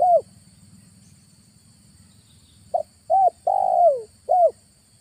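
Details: Spotted dove lure call used in August to trap wild doves: a hooked coo ending one phrase, a pause, then a full phrase of short coo, curved coo, long sliding downward coo and closing hooked coo, with faint low hum.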